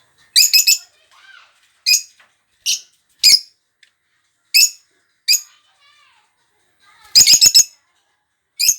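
Lovebirds giving shrill, harsh chirps in short bursts, several seconds apart, with softer twitters between.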